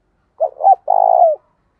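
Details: Decoy spotted dove cooing to get other doves to respond quickly: two quick husky notes and a sustained, rolling coo that falls slightly at its close. Nothing else is heard.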